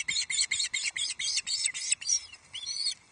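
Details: Young osprey begging at Loch Arkaig, 31 July 2023, grabbing a large headless trout; fast harsh shrieks slow into a few drawn-out, wavering screeches before fading.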